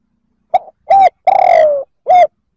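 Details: Spotted dove cooing to provoke other males: a clipped opening note, a firm mid-pitched coo, a long tremulous coo sliding downward, then a short closing coo, in a quiet background.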